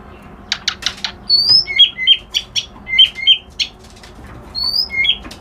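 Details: Reed warbler singing a patterned phrase: sharp clicks, then a high whistle followed by a chain of hooked chirping notes repeated several times. The phrase starts again near the end.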